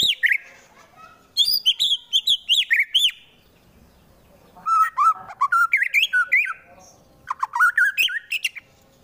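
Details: Shama song from a caged fighter in Wonosobo, Central Java, used to agitate rival birds into fighting: three dense volleys of rapid, sharp whistled notes, each burst of about eight to ten notes jumping between high and mid pitch, separated by short pauses.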